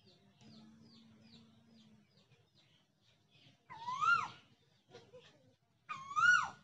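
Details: Asian koel singing in a village; two loud, clear, rising whistled notes about two seconds apart. Faint high chirps come before them, along with a low steady hum.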